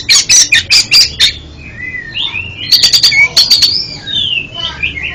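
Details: Song of an oriental magpie-robin used as therapy for a bird with faltering song: a fast series of loud chips, gliding mid-pitched whistles, another burst of rapid clicks and trailing warbles.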